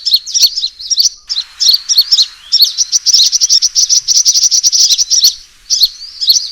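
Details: Sunbird fighting call used as a trapping lure: rapid bursts of high, thin chirps and trills, dense sharp notes repeated almost continuously with brief pauses.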